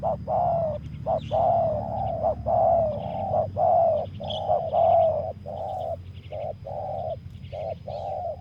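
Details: Spotted dove lured by a decoy bird at a ground clearing gives loud, hoarse coos in quick succession. About a dozen even notes come in short pulses with brief gaps. Faint chirps of other small birds sound higher above.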